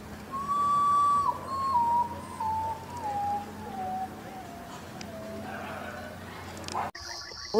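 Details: Common Potoo (Nyctibius griseus) singing in the forest of northern Brazil at night: a mournful slow series of whistled notes stepping down in pitch, over a low steady hum, with a sharp noise at the end.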